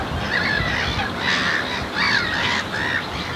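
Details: Icelandic black-tailed godwits at Marshside RSPB Reserve in Southport, Lancashire, 19 June 2014, Lumix GH4 camera recording: scattered nasal yelping calls from more than one bird, partly overlapping, against constant rushing background noise.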